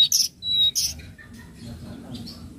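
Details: Flowerpecker lure call (tledekan laut, trotol style), meant for training untamed birds: a quick burst of very high, sharp ticking chirps and one thin whistle, then near quiet with faint distant notes.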